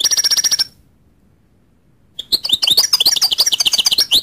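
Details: Goldfinch song opening with a brief buzzy, nasal trill, then a pause before a fast, tinkling run of high chirps and liquid twitters, roughly four notes a second.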